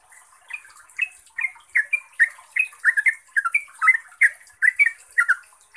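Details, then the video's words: A yellow-vented bulbul, local name trucuk, sings a 'ropel' lure song to make rival bulbuls respond: it starts quietly, then gives steady bubbly, upslurred notes in pairs and triplets, with faint high hiss. "ROPELAN TRUCUKAN GACOR ini bikin TRUCUK lain LANGSUNG NYAUT, GACOR dan ROPEL - pancingan trucuk"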